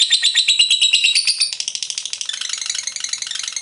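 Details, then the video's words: Ngekek song of a lovebird: bright, buzzy chattering at first, which softens after a second and a half into quieter, rattling, rapid notes. "LOVEBIRD FULL NGEKEK"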